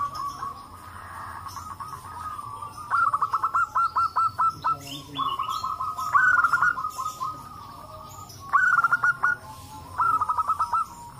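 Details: Chorus of native zebra doves, including big-voiced, long-voiced and crystal-voiced birds, answering one another to stir other doves into calling; loud staccato bursts of rapid cooing notes repeat every couple of seconds over continuous trilling.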